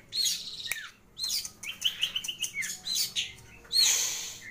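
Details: Long-tailed shrike in full chattering song with plentiful fill-in phrases: sharp high chirps, downslurred whistles and a quick string of rising notes, ending in a loud harsh burst.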